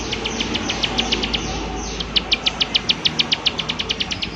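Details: Prinia repeating its 'klik klik' call: faint quick clicks at first, then a clearer, evenly paced run of sharp, high clicks over steady hiss.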